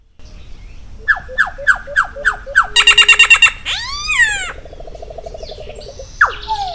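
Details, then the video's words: Loud phrase from a Solitary cacique, Cacicus solitarius: five falling slurred notes, a rapid rattling burst, then bent nasal notes, a soft low fast trill and one more descending note. "Canto do Iraúna de Bico Branco Cacicus Solitarius"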